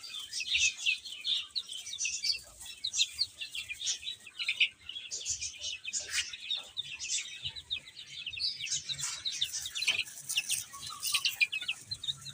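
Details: Many chicks chirping as they eat and play, a long busy chorus of high short peeps rising and falling in intensity, with soft pecking sounds.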